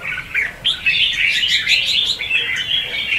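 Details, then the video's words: Red-whiskered bulbul decoy giving 'ché' and 'xòe' competitive song, used for trapping and training. An ongoing, busy warble of quick slurred whistles rises slightly, then settles into a steadier run. "Chào mào Luyện giọng | Hót Ché - Xòe hay Đỉnh cao từ trước tới nay , Bẫy đấu Chim Chào mào"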